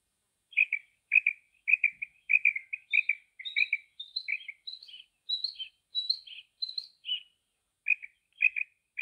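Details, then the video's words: A common female quail gives a run of short, high chirps, one or two a second, with brief rising notes midway; nothing else is heard. "females quail sound"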